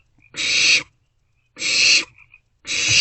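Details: Barn owlets at night in a nest box, sharing a vole and passing it back and forth; harsh, hissing broadband screeches about half a second long, three in a row roughly a second apart.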